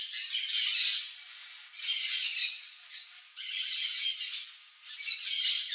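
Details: A blue-and-yellow macaw (Ara ararauna) feeding on a ripe mango in the Brazilian Cerrado gives four long, harsh, raucous squawks, each over a second, repeated about every one and a half seconds.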